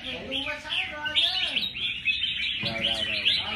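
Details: Red-whiskered bulbuls at a bird singing contest sing bright, chattering high notes in quick runs, overlapping one another, while a man talks loudly nearby.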